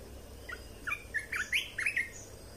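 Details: Red-whiskered bulbul in a cage, with a training song meant to teach young birds and excite other birds. A lively, jumbled phrase of bright whistled and slurred notes flows rapidly over a low hum.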